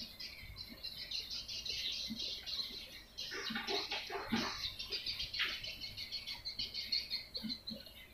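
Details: Swiftlet lure sound used to attract swiftlets: dense, continuous high twittering and chattering chirps, rapid and overlapping, with brief louder bursts of buzzy trills midway and faint low thumps underneath.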